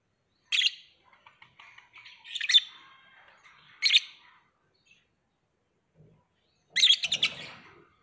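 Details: Lovebird giving four loud, harsh chattering bursts separated by short silences, with faint soft twitters between the first bursts; a quiet background otherwise.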